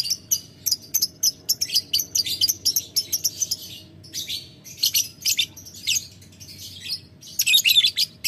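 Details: Lovebird ngetik ngekek call directed at a rival: a long series of brisk ticking notes, about three per second, grading into rougher chattering clusters toward the end; a quiet steady hum underneath.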